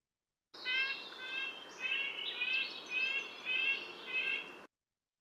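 Red-breasted Nuthatch giving a run of nasal, tinny honks, like a tiny toy horn, about six notes in four seconds; light background hiss.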